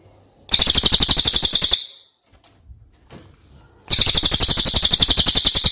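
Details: Cililin song used for tutoring other cage birds: two long, piercing, fast-pulsed rolls, the first fading out, separated by a quiet pause with faint knocks.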